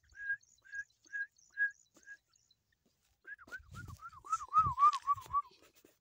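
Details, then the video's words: Black francolin chicks give five short, clear whistled peeps about half a second apart, then a quicker run of arched, slurred whistles over low thumps and rustling. "black teetar sound voice chicks"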